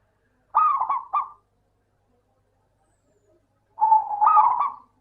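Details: Local zebra dove song used as a lure to get idle doves singing: a short choppy coo phrase, silence of over two seconds, then a longer phrase opening on a steady note before rolling stuttered beats.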